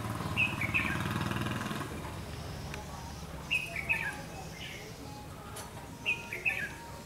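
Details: Red-whiskered bulbul during a trapping session on 31 October 2016, repeating the same short, clear, two-part whistled phrase three times, roughly every three seconds, over faint low background noise.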